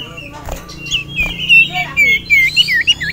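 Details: Male common iora in a cage, worked up by a rival male and a female, gives quick looping whistles and warbles after some quieter background chatter.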